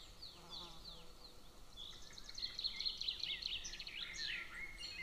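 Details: A little golden eagle eaglet at the nest near a military training ground, 22 June 2024, giving dense, fast, high-pitched chirping that grows louder midway, over a low hum.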